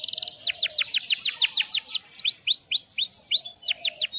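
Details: Singing canary in breeding condition, performing long gacor rolls with sharp cuit-cuit notes. Quick downward-swept whistled notes repeat in a fast rhythmic series, then change to upward-hooked whistles and back, over a soft low background hum.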